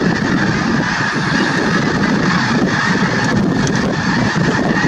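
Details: Snow geese at Merced National Wildlife Refuge on 22 January 2023, in winter: a dense, unbroken wash of many overlapping honking calls from a large flock, with a steady nasal band and a low rumble that could be wind.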